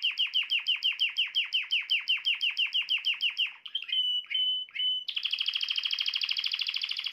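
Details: Male canary song, described as tried with the keeper's own birds to bring a female into mating posture fast; rapid downslurred notes repeated about five per second, a few pure whistles, then a dense buzzy trill.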